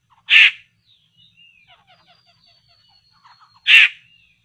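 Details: Poksay laughingthrush lured for trapping: two loud, harsh, rasping calls about three seconds apart, separated by a string of soft ticking notes and thin high whistles.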